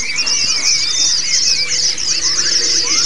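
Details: Training audio of white-eyes for birds that only chirp, aimed at the ngalas and ngerol song styles: a constant, dense high-pitched trilling chorus with thin rising and falling whistles beneath it.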